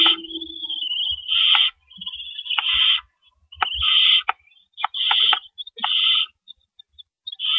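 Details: Owls at a nest at night, 4:31 AM on April 4 2012, as adults bring in and carry out rabbits; harsh, hissing screech bursts of varied length repeat irregularly, broken by sharp clicks and faint low thumps.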